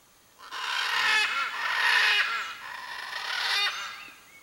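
A blue-and-yellow macaw gives harsh, raspy, drawn-out squawks in two or three long bursts over about four seconds, calling out to locate its mate.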